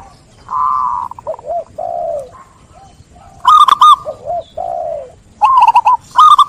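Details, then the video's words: Local zebra doves sing clearly, one encouraging others: a softer distant long coo and low curved notes first, then loud bursts of quick rippling coos alternating with low, drawn-out falling notes. "Perkutut Lokal Gacor | SUARA JERNIH Mengajak Yang Lain Ikut Bunyi"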